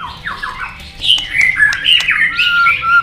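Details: Tail-flicking White-rumped shama, stirred up for competition singing, delivers quick varied phrases: buzzy chatter, bright whistles and sharp clicks rising in intensity toward the end.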